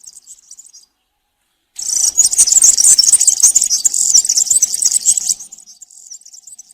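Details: European serin singing in country style, used for training young serins to sing: a dense, high, jingling twitter with rapid buzzy notes, starting after a short pause and fading to softer chatter.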